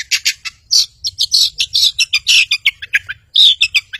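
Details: Long-tailed shrike in active song, used to lure rivals and silent birds into singing: dense, varied chattering of short high chirps and squeaky phrases, run together with brief pauses.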